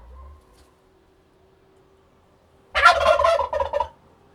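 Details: Loud bubbling gobble from a turkey, a fast warbling rattle of about a second, breaking out after a long stretch of near silence with a faint steady hum.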